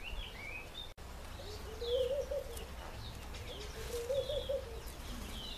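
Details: African green pigeons, about eight shy birds foraging for fruit in a nectarine tree; two soft, low warbling coo phrases with a wavering pitch, about two seconds apart, with faint higher chirps from other birds and a brief click.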